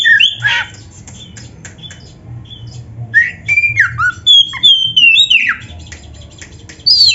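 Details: Oriental magpie-robin song used to train caged birds: a harsh opening note, a quiet stretch, then descending whistled slurs and high sliding phrases in quick succession.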